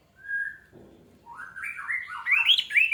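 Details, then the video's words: Orange-headed thrush singing, used as a lure to prompt other birds to sing: one steady whistled note, a soft rattle, then a climbing series of slurred, warbling phrases that grows louder. "AMPUH UNTUK PANCINGAN ANIS MERAH MEMICU CEPAT BUNYI DAN GACOR!"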